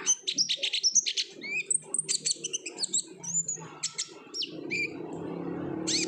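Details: Energetic 'gacor ngobra' olive-backed sunbird song, played to stimulate singing: rapid strings of high chips and thin whistles, short upslurred notes, ending with a louder low rushing noise under the calls.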